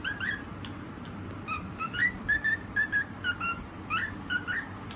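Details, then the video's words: Cockatiel song from a white parrot: quiet start, then a steady series of bright whistles, many rising at the end, spaced about half a second apart. "Cute bird 🦢 singing video white parrot 🦜 cocktail"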